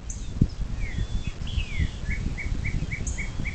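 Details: Piping series from a bald eagle at its Ohio river nest near South Lebanon, 07:02 on 26 April 2024: six or seven quick, high, clipped notes close the clip, with other birds' slurred whistles earlier and faint low rustling.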